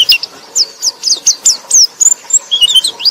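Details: White-eye song used as a lure to stimulate a sluggish white-eye to sing: a rapid, high, twittering run of thin sweeping whistles and chirps, about four notes per second, little else heard.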